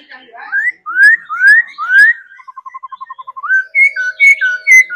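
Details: Laughingthrush kept and trained to sing and dance, giving loud upward-sweeping whistles, then a quick string of about ten soft, even pips before higher slurred whistles return.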